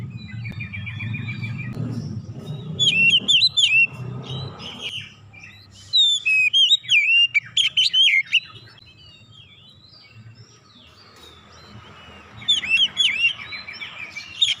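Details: Oriental magpie-robin pouring out concealed 'isian' song phrases: dense bursts of sweet whistles and sharp chips between about three and eight seconds, a long quiet gap, then a final lively burst, with low rumbling early on.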